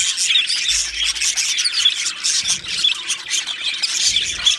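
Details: Australian budgerigars, two males, keep up a steady high-pitched chattering of squeaky chirps and harsh little squawks with no pauses.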